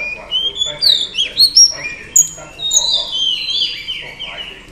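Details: Female oriental magpie-robin singing to provoke males: a loud run of slurred whistles, rising and falling, ending in long drawn-out descending notes, with faint background noise.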